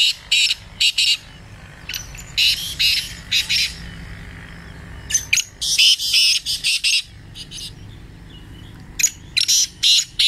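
A francolin gives loud, harsh, grating notes in quick clusters of three or four, repeated in bursts with short pauses between phrases.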